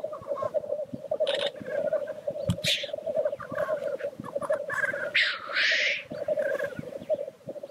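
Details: Black grouse lekking display: a pulsing, low bubbling chorus goes on while scattered short hisses sound, ending in one prolonged, loud, rushing hiss of about a second, then further soft bubbling.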